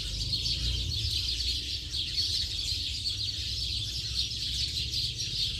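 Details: Steady, crowded twittering of a house sparrow flock in late afternoon, high chirps merging into a constant chatter over a fairly strong low-pitched hum throughout.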